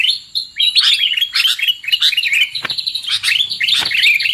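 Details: Sooty-headed bulbul calls played as a lure to trap birds: excited, overlapping chirps and short warbled phrases that keep going almost without a break.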